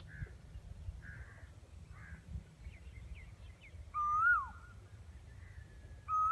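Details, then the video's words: Asian koel singing near a railway track. Faint short notes come first, then a loud whistled note that rises and then drops, with another starting at the end. Quiet background. "Asian Koyel Bird singing sound"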